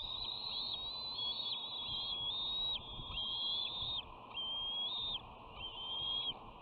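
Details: Bald eagles at the West End nest on 13 June 2019, one sister aggressively greeting the other with a wing hold and nips: a run of high, level whistled notes, some overlapping, then shorter spaced whistles over steady hiss.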